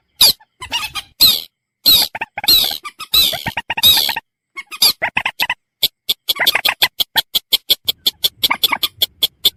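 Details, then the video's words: Purple swamphen (mandar batu) calling: harsh screeching squawks at first, then a fast, evenly spaced series of short sharp clucks repeated about four times per second toward the end. "Mp3 suara burung mandar batu"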